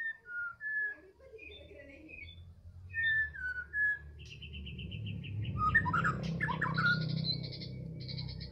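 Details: Medan White-rumped shama heard in the afternoon: clear whistled notes and short slurred phrases at varied pitches, then faster higher twitters over a rising low rumble of background noise.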